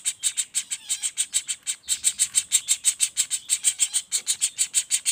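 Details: Rapid rolling calls of a juvenile common flameback: harsh, high buzzy notes repeated about three times a second, continuous and steady, with a low rumble at one point.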